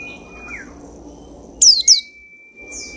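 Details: Caged white-eye picked from a mass-stock cage, singing about two weeks later: two quick, bright, high descending chirp notes in close succession, over a steady thin high whistle-like tone and soft low background rumble.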